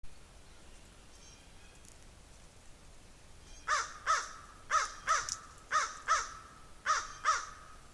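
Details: Crow calling while a squirrel goes after a raven nearby: after about four quiet seconds, eight harsh, hoarse caws in four evenly spaced pairs, each pair about a second apart, over faint background hiss.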